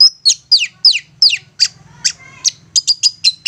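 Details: Long-tailed shrike giving a persistent provoking song meant to make other shrikes answer and sing. Four sharp, high, downward-sweeping whistles, then a quicker run of short clipped chips and a buzzy note, with a faint low hum underneath.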